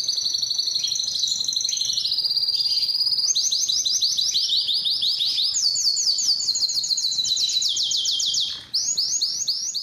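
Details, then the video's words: Breeding song of a Belgian canary attracting females, a long series of rapid high trills changing pitch in blocks, with one brief dip near the end. "O canto mais forte do canário belga que atrai as fêmeas para a reprodução"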